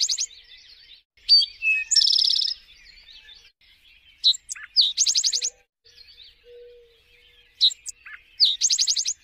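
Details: An eastern towhee repeats its song: clipped opening notes, a brief slurred note, then a rapid ringing trill. Three phrases come in quick succession over a quiet background, with a soft low whistle in the middle.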